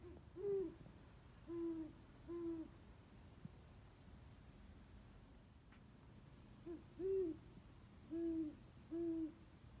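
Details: Owl calling at 2:34 am from an old oak tree in a back yard at night: low, soft hoots in a rhythmic series, about six over ten seconds with a pause in the middle, against a quiet background.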